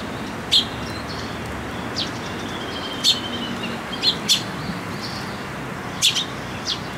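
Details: Eurasian tree sparrow fledglings come to a post to be fed at a shrine on 28 May 2022; short sharp chirps at irregular intervals over steady background hum.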